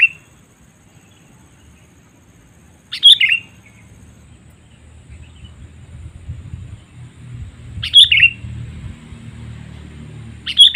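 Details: Sooty-headed bulbul lure call used to attract wild birds: short bright chirpy phrases of several notes, repeated about every five seconds, with quiet low rumble in the background.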